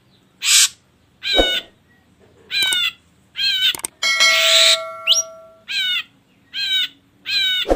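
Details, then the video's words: Ashy drongo lure sound: spaced, nasal, ringing notes repeated about once a second, with a brief harsh burst and steady bell-like tones midway. "Pancingan Burung Srigunting Abu Abu Biar Bunyi"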